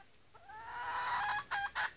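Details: Female red junglefowl lure bird calling after being startled: a rising, swelling drawn-out note lasting about a second, followed by two short sharp clucks.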